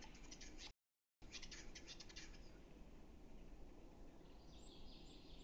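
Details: Western capercaillie recorded in April 2018 at Metsis, Estonia: a quick series of sharp dry clicks over about two seconds, then quiet with faint high notes from other birds, over steady low rumbling background noise.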